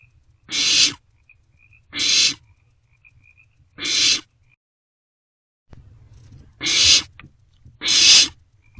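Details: Barn owl chicks in an owl box around 2 am, 27 March 2024, passing a vole meal between them; five rasping hissed screeches, a run of three then a pause and two more, over a low rumbling background.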